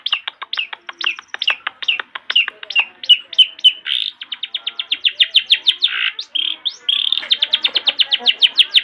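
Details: Long-tailed shrike master song, a lively recording meant to prompt young shrikes to sing: rapid strings of sharp, high chipping notes, some upslurred, repeated several times a second with brief buzzy bursts in between.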